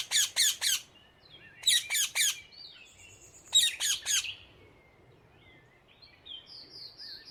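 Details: Free-living rose-ringed parakeet in the wild in the Netherlands: harsh, screeching squawks in quick bursts of three or four, repeated three times, with faint twittering of other birds between the bursts.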